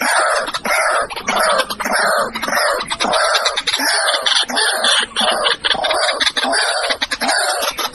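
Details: White-breasted waterhen giving a dense, continuous run of harsh, croaking calls that overlap rapidly with almost no pauses, loud throughout and rich in raspy upper tones.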